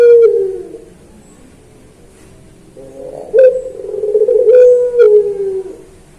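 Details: Training recording of a puter pelung dove. A falling coo ends, then after a quiet gap a long, low, drawn-out coo swells and tapers downward, with faint clicking noises during it.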